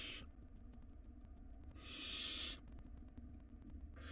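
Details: Wild barn owl chick in its nest box as it swallows a rodent; harsh hissing bursts separated by quiet gaps of about a second and a half, the middle one fullest and rasping.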